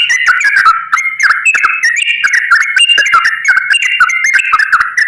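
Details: Rapid nonstop 'gacor ropel' song of a straw-headed bulbul, used to coax lazy bulbuls into singing: dense, liquid warbling of jumping whistled notes laced with clicks, rolling on without a break.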